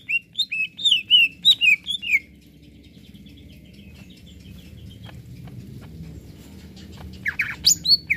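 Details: Greater green leafbird singing hard to stir up other birds: about two seconds of fast, bright whistled and slurred notes, a long quiet stretch with faint clicks, then a final burst of sharp chirps.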